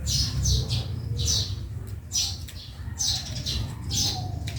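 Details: Backyard sparrow calling: clipped, high chirps come in small clusters with brief pauses between them, over a constant low hum.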